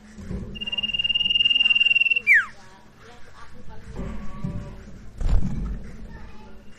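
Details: Sirtu lure song meant to set a silent bird singing: an even, buzzing high trill for nearly two seconds, a quick downward whistle, then quieter scattered notes over a continuous low hum and a brief thump.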